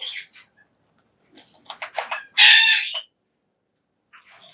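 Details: Captive pet Major Mitchell's cockatoo calling while eating high-protein parrot food: scattered clicks and short rasping bursts, then one loud, harsh, broad screech lasting about half a second, and a softer rasp at the end.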